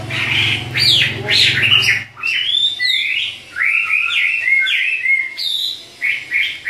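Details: Two Chinese hwamei singing in duet: quick, loud whistled notes in dense bursts, then clear sliding phrases repeated in short groups, a low hum in the background at first.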